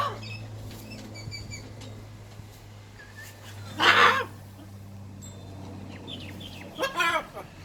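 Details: Blue-and-gold macaw, a pet bird playing, gives a loud harsh squawk near the middle and a shorter rasping call at the end over a steady low hum and faint distant chirps.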